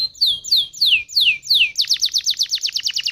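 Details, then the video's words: Canary song played as a lure to make other canaries sing: five loud downslurred whistles falling from high to mid pitch, then a fast trill of short repeated notes. "Pancingan Burung Kenari Jitu Langsung Nyaut Kenari Mana Pun Bakal Ngerol Dengan ini"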